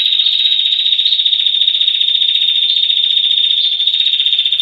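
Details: Female Rufescent Prinia in a long 'ngetir' trill, kept for tutoring other songbirds: an unbroken, fast, buzzy stream of high notes that holds steady, with a few slightly higher accents scattered through.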